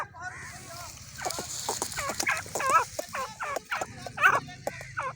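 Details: Female grey francolin uttering a quick run of repeated dipping, curved notes, several per second, over a steady hiss and low background hum.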